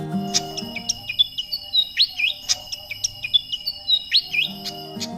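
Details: Malaysian pied fantail, a bird once common in Indonesia, often heard in the morning near wells, springs and other dense places, giving a lively series of high, squeaky chirps and short upslurred whistles, jumbled and uneven; faint low hum beneath.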